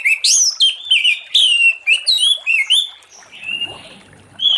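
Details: Late-afternoon song of an Orange-headed thrush, used to prompt other thrushes to sing: quick series of loud whistled notes dropping in pitch, each repeated about twice a second, fading into softer scattered phrases before a final note.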